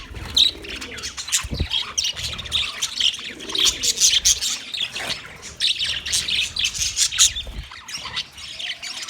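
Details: Continuous busy chatter from a group of budgies on 9 March 2024: overlapping high chirps, warbling trills and sharp squeaks, with a few low thumps.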